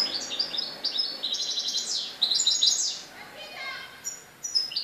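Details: European goldfinch in Morocco, recorded 4 December 2013, giving a rapid series of high, metallic twitters and buzzy slurred notes, followed by softer trills and scattered chirps.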